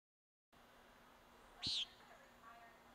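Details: A Common Nighthawk, a Newfoundland species at risk, gives one short, buzzy, nasal 'peent' call. It is high-pitched and lasts about a quarter second, over a faint steady background hum.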